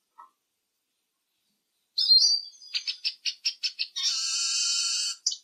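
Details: Eurasian siskin beginning with a slurred whistle, then a series of evenly spaced clipped notes, then a long, harsh, buzzy wheeze held for over a second.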